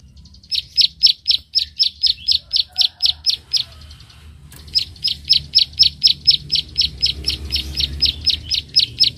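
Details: Bar-winged prinia fighting a rival, giving its 'klik-klik' call: a fast train of sharp, high clicking notes, about four a second. The train breaks off briefly, then restarts as loudly, over a faint low rumble.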